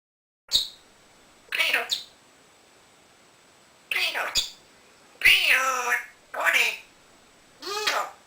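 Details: Pet male African grey parrot, rescued at about nine months and hand-tamed over two years, produces six short, hoarse, talking-like and meow-like bursts with falling harmonic tones, spaced irregularly over eight seconds in a quiet room.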